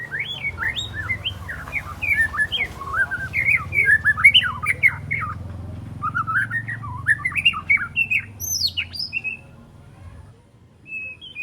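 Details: Young white-rumped shama, three months old and still spotted, learning its song: a quick, jumbled run of varied warbled and chirped notes that climbs and falls, followed by a few sharp high notes, over a faint steady hum.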